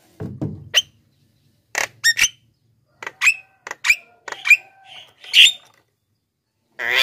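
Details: Black-winged myna song used as a lure for wild birds and as a trainer for quiet captive singers: a varied mix of short squeaks, scratchy chips and brief whistles, ending with a harsh grating burst.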